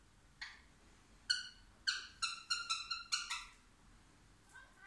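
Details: Ring-necked parakeet trying to talk: a run of short harsh harmonic squawked syllables, about eight in quick succession, with a faint final call, over quiet background.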